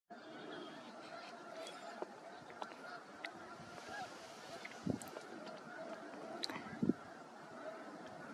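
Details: Migrating snow geese, a flock of about 8,500 sitting on the mostly frozen Freeze Out Lake, Montana, on a sunny 23 March 2023, some walking and honking: a dense, steady chorus of overlapping nasal honks, with occasional sharp close calls and faint clicks.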